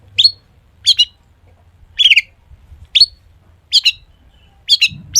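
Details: Lively long-tailed shrike singing full of mimicked notes, meant to prompt other shrikes to sing: sharp high chirps and short squeaky notes spaced about a second apart against a quiet background.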